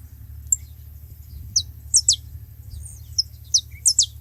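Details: Several saffron finches calling together at a feeding spot: scattered, high, downslurred chirps, some in quick pairs, with gaps between, over a constant low background hum.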